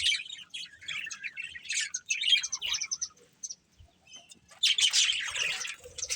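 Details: Budgerigar breeding pair: broken runs of soft, twittering high chirps, a nearly quiet stretch in the middle, then a louder burst of harsh, dense chatter toward the end.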